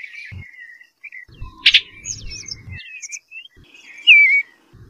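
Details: Eastern bluebird singing a melodious song: soft, warbled high notes ramble across the clip, ending in a louder slurred whistle that drops in pitch, with a sharp click midway and low thumping noise beneath.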